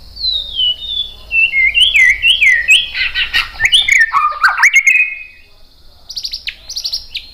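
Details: White-rumped shama song used as a lure to draw other birds into answering: a run of falling slurred whistles and rapid warbled notes, then a short pause and bright, high, repeated chips near the end.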